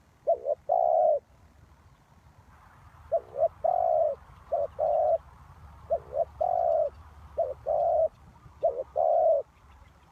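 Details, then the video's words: Spotted dove kept as a lure for bird trapping, cooing in repeated phrases of a stuttered double note and a longer steady coo, about every one and a half seconds over faint background hiss. "Sound Of Cuckoo Bird"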